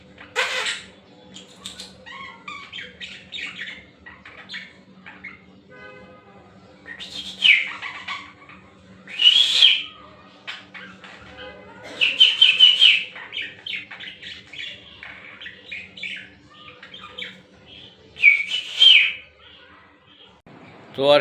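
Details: A pet budgerigar, said by its owner to talk with him, chatters in bursts of bright, scratchy warbles and whistles while a man speaks.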